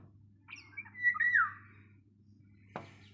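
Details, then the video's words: Morning bird chirp: a bright whistled phrase with a sharp falling slur near the start, then quiet, a single click and a low background hum. "Chirping sound of bird in the morning"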